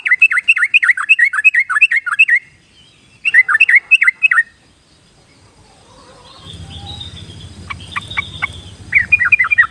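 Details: Yellow-vented bulbul song serving as a lure for shy or still-wild birds: lively bubbly phrases of slurred, rising and falling notes, repeated after short pauses, with a few sharp chips and a soft low rumble midway.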